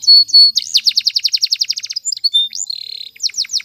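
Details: Canary singing a training song: a long series of rapid, evenly repeated sweeping high notes, then a sustained buzzy tour and more quick descending whistles, clear and indoors-sounding with no other noise.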